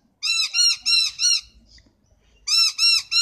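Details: Harsh squawking calls of a noisy miner: a run of four loud, grating notes, a pause of about a second, then three more in the same quick rhythm. No other clear sounds are heard.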